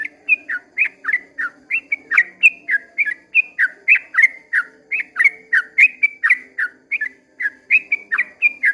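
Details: Sooty-headed bulbul at first light giving a 'ropel panjang' song, fast series of rich, warbling whistles, some paired, running nearly continuously at about three to four per second; faint background hum.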